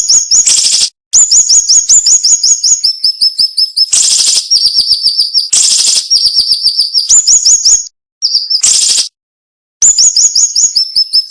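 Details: Cinnamon-bellied flowerpecker tutor recording with a close-packed, sharp song and short gaps. About 160 thin, high ticking notes a minute run in shifting pitch bands, broken repeatedly by loud buzzy bursts and a few brief silences.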